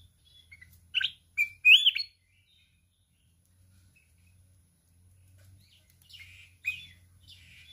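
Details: Wild-type mountain red-whiskered bulbul in a fierce singing contest, flapping its wings repeatedly, in the 'kít bổi' forest-voice style. A short burst of bright, sharp warbled notes comes early, then quieter phrases late, over a faint low hum.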